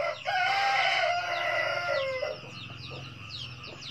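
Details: Drawn-out 'cà lắm' crow of a red junglefowl, a sustained, hoarse, tonal note of about two seconds that dips at the end, then gives way to a steady run of high, quick chirps.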